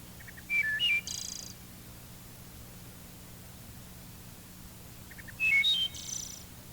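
Wood thrush song, twice: a few clear flute-like notes followed by a fast, fluttered metallic trill; quiet background hum.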